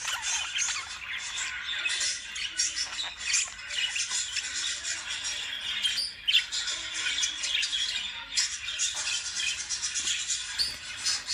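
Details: Loud, dense lovebird chatter, a constant buzz of shrill overlapping squawks that briefly dips about every two seconds before surging again.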